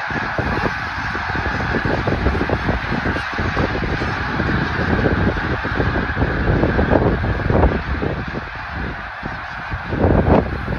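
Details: Snow geese on migration in Delaware, USA: a dense flock clamour of overlapping nasal honks and yelps, continuous and steady throughout, with occasional louder calls standing out near the end and a low rumbling background.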